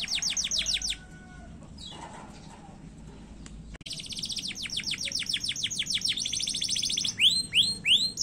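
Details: Canary song used as a lure to trigger singing: rapid trains of high downward-sweeping notes, a quiet pause, then fast trills and loud looping whistles near the end.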